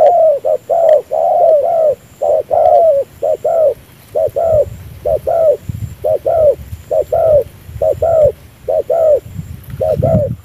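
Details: Spotted dove decoy bird used for fast ground-decoy trapping, giving an unusual coo while lowering its chest: short note then longer mellow note, paired, repeated steadily for ten seconds over low rumbling background noise and a faint high whine.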